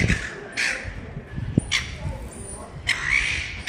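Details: Young Silver Gull on foot in a Ballarat mall, Victoria, Australia: a few sharp, strained squeaky calls spaced about a second apart, with human voices and street bustle in the background.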